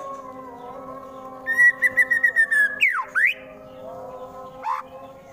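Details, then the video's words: Murai batu fighter song from Wonosobo, Central Java, aimed at provoking rival birds: a brief row of quick repeated chips followed by two swooping whistled notes over a steady low background hum. "MURAI BATU FULL TEMBAKAN KASAR Sangat Cocok Dijadikan Lawan agar cepat Emosi dan Fighter"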